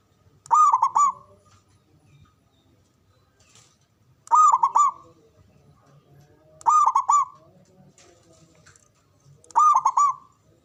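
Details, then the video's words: Zebra dove, a loud local Javanese bird with a big voice and long breath, used to stimulate breeding and fighting spirit: rolling cooing phrases of several quick notes, repeated about every three seconds, with a faint low rumble beneath. "Pancingan Ampuh❗Pendongkrak Birahi Perkutut Biar Cepat Fighter & Bermental"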